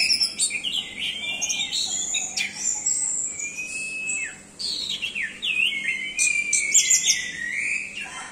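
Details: Varied, continuous song of an orange-headed thrush: sliding whistles, sharp high chips and fast warbling phrases strung together with barely a pause for over eight seconds.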